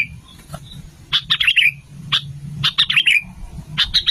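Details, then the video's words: Sooty-headed bulbul calls used to lure bulbuls: repeated short, bright chirping phrases, several notes each, spaced about a second apart, over faint low rumbling. "SUARA BURUNG KUTILANG GACOR 2025"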